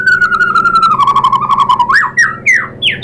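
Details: White-rumped shama lure song meant to provoke other birds into answering: a long, slightly buzzy whistled note slowly falling in pitch, then short rising swoops at the end, over a steady low hum.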